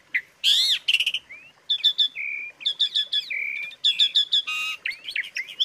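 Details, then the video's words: Asian pied starling training filler song: a harsh swooping note, clipped doubled chirps, smooth flat whistles and a brief raspy burst, delivered in quick varied phrases. "suara isian untuk masteran jalak suren"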